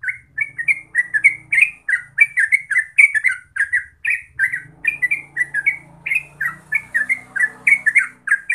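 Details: Terucuk, the Yellow-vented bulbul, singing in ropel style: fast, gurgling phrases of rising and falling notes repeated without a break, over a low background hum and rumble.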